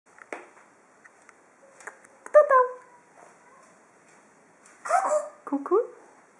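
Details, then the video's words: Green-winged macaw playing on a table indoors in March 2014, giving a few short, hoarse, harmonic calls that bend in pitch, with quiet pauses and faint knocks between them. "Green winged macaw is playing on the table"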